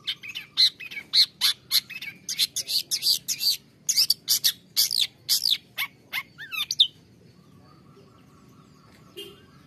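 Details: Long-tailed shrike song aimed at stimulating caged birds to sing: loud rapid harsh chatters and squeaky whistles for about seven seconds, then quiet with only faint hum.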